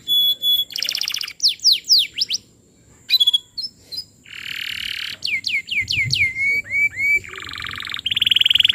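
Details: Lively canary song meant as a lure for training young canaries: buzzy high rattling trills alternate with fast sweeping whistled notes and short chirps, brief pauses between phrases, and a faint continuous high tone behind.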